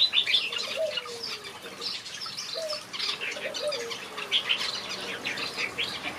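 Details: Finches singing in a backyard aviary: busy, overlapping high chirps and twitters fill the whole stretch, joined by a few softer, lower notes that slide downward.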